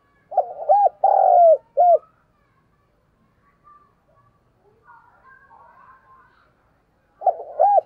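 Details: Spotted dove decoy calling to pull in wild doves. A low phrase of short coos, a long rough coo and a clipped ending, then about five quiet seconds of faint murmurs, then another phrase begins.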